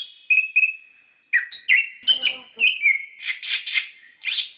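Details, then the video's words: Orange-headed thrush singing on a lure recording meant to stimulate captive birds, called gacor ngerol. Drawn-out whistles lead into buzzy, warbling phrases with trilled bursts, plus a faint rustle partway through. "Pancingan Suara Burung Anis Kembang Gacor Ngeplong Ngerol"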